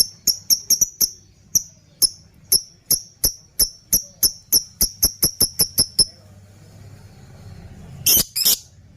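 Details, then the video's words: Rapid series of sharp, shrill lovebird chirps used to tutor other birds, some doubled, stopping after six seconds, followed by a short harsh rasping burst. "Pancingan burung love bird # masteran burung, ngekekekeke"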